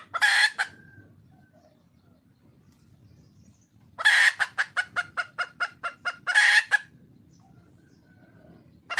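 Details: Wild red junglefowl hen calling for a mate: harsh squawks at the start, then a squawk leading into a fast even series of about a dozen clucks, closed by another long rasping squawk.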